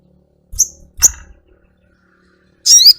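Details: Little spiderhunter, called sogok ontong, gives two sharp, very high chirps, then a longer shrill call with a falling, downslurred tail near the end. Low thumps and taps sound between the calls.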